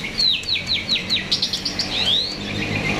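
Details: Myna in vigorous song, played as a lure so other birds begin singing: a quick series of about ten high down-slurred whistles, roughly four each second, ending in a rising buzzy phrase.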